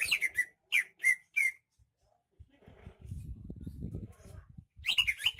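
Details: Greater green leafbird of Banyuwangi, singing steadily: loud whistled notes in quick phrases, a stretch of low rustling noise, then the whistling resumes.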